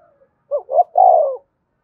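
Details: One spotted dove phrase used to lure other doves, two short hooked low notes followed by a long smooth coo that slowly falls away.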